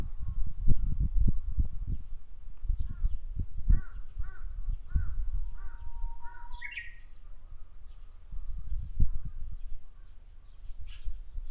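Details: Japanese bush warbler singing in a tree in Miyakonojo, Miyazaki Prefecture, Japan: one long steady low whistle swelling into a quick rising flourish, heard among repeated harsh crow caws and steady low rumbling background noise.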